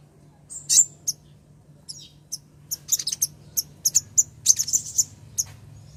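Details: Female ruby-cheeked sunbird calling the male: thin, high sharp chips and short twitters scattered irregularly, clustering into quicker bursts toward the end, over a faint low hum.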